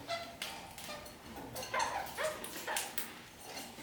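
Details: Quiet kakariki notes: short nasal chirps spaced roughly every half second, a few rising squeaks among them, from birds that walk upside down along a ceiling.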